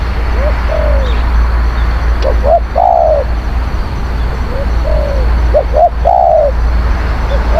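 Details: Spotted dove, a skilled, fierce-cooing decoy bird used to lure wild doves, giving deep rolling coo phrases: two short notes then a longer drawn-out coo, repeated about every three seconds over a steady low hum.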